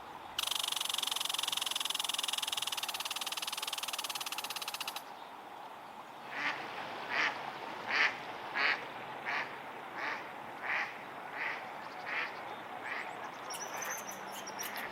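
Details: An upset female mallard by Whitemud Creek, Edmonton, in the morning, just after being chased by a male, gives a run of about ten harsh, nasal quacks, one every second or so, after a few seconds of loud rushing noise.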